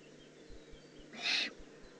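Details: Eurasian eagle-owl juvenile in the Eifel, 18 June 2016, producing a single short, breathy rasping hiss lasting about a quarter second, with low hum and faint ticks around it.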